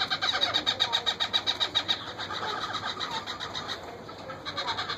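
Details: Parakeet babies begging while a wild parent feeds them, with rhythmic rasping pulses about four a second, loud at first, then softer and blurred, then rising again at the end.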